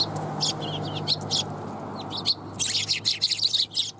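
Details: Several sparrows arriving to be fed at a Tenmangu shrine on New Year's Day 2021. Scattered thin chirps build into a quick run of high twittering notes near the end, over a low background drone.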